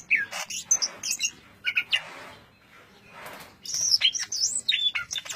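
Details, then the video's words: Greater green leafbird delivering tight ngentrok song: clusters of sharp chirps and short slurred whistles separated by brief lulls, then a lively run of high twisting whistled notes. "Suara burung cucak ijo ngentrok suara rapat"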